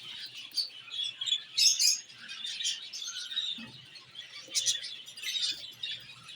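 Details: Caged budgerigars in an aviary, singing and playing: continuous mid-high warbling chatter with sharp whistled chirps and squeaky notes rising and falling in loudness every second or so.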